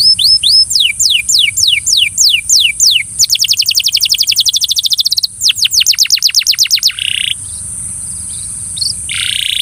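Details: Belgian canary coaxing a fellow canary to sing: spaced downward-sweeping whistles speed up into a rapid even trill, a brief pause, then another fast trill, before a quieter stretch with a buzzy burst; constant faint high hiss throughout.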